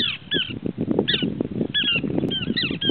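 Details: Small pratincoles (Glareola lactea), a resident wetland species, call: short, high, rolling chirps in quick overlapping bursts, several birds at once, over a steady low rumble of wind or water.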